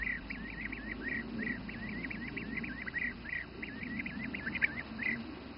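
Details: Bee-eaters feeding young in the Czech Republic's Přerov region, repeating short, arched, trilling notes in a steady series over a continuous low rumbling background.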